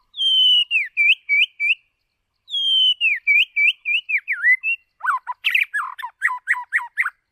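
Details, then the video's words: White-rumped shama used as a decoy for voice training: loud, pure, drawn-out whistles each followed by quick repeated downslurred notes, given twice, then a burst of harsher chattering notes in rapid succession. "Chòe lửa Mồi hót cực đỉnh ✦ Luyện giọng chòe lửa"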